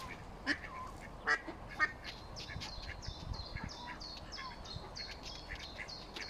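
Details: Nine mallard ducklings taking their first swim with adult mallards, Smithspool, Fenton, 15 April 2022; a steady stream of faint, high, downslurred peeps, plus three brief louder calls early on.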